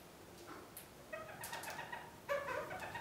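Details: Kept red-crowned parakeets (kakariki) given a large willow branch as a Christmas-time diversion in dreary winter; short nasal harmonic chattering calls, several in quick succession, over soft rustling of twigs and leaves.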